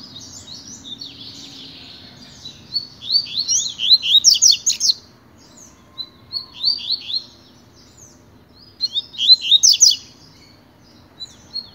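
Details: Pure tui-tui song from a tutor Double-collared seedeater during training: four phrases of rapid sharp chirps and trills, each one to two seconds long, with short quiet gaps between them.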